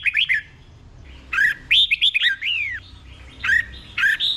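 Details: Red-whiskered bulbul from Thailand with a tutor song for caged birds: short chirpy notes, then a sequence of loud arching whistled slurs, followed by two brief bright phrases.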